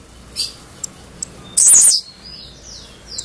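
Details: An albino Blue-black grassquit gives one short, very high, buzzy burst after a few thin ticks. Faint sliding whistles follow, possibly from another bird.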